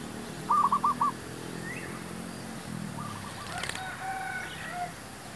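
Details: Zebra dove used in luring wild doves for trapping gives one loud rapid burst of four bouncing coo notes. Fainter answering coos and scattered chirps follow, with a brief clatter.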